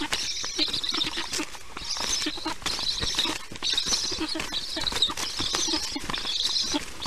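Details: Black stork chicks on a nest camera, fed lunch by a parent on 22 July 2019 at 1:39 p.m. EEST; rhythmic rasping, wheezy bursts about every second, mixed with knocks and shuffling in the nest.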